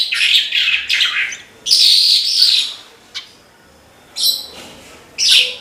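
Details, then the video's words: Gacor song of a Horsfield's bushlark (branjangan): separate loud bursts of high, rapid twittering and buzzy notes, with quieter gaps and a single sharp click between phrases. "BRANJANGAN GACOR TIADA LAWAN"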